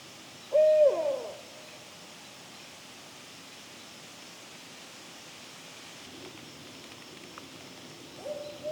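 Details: Adult barred owl calling near juveniles in woodland at a local park in the evening, the young already giving alarm calls; one loud low hoot sliding down at the end, then quiet forest with a fainter hoot near the close.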